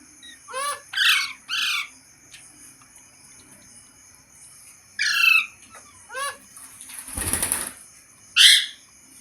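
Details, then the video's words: Green parrot giving loud harmonic squawks and short rising chirps in spaced bursts, with a brief noisy rustle midway and quiet pauses between calls. "Green Parrot Talking Natural Sounds | Tote Ki Awaaz | Mitthu Ki Awaaz"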